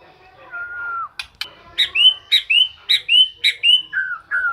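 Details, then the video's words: A white-rumped shama that keeps singing day and night opens with a long steady whistle, then two sharp clicks and a series of bright up-and-down whistled slurs, about two per second. "Murai batu siang malam kicau terus"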